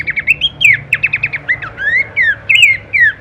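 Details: Horsfield's babbler, pelanduk semak, in kleperan variation song for masteran training: a rapid run of short chipping notes, then long drawn, downslurred and upslurred whistles, against a steady low background hum.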